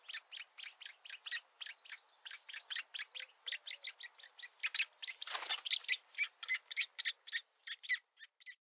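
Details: Woodpecker nestlings fed at the nest entrance for the first time; a long, even series of rasping begging notes, briefly broken by a loud rustle near the middle.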